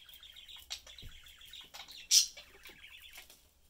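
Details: Pet budgerigars, a parent pair and their young, chatting while eating; fast buzzy warbling chatter in a steady stream, broken by a loud sharp squeak in the middle and a soft low thump.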